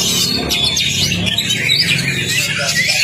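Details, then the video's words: Magpie-robin (kacer) training song used as a lure for a silent bird: rapid tumbling whistles and chattering notes throughout, over a steady low humming background. "PANCINGAN KACER CEPAT ON NGOBRA... masteran Kacer macet"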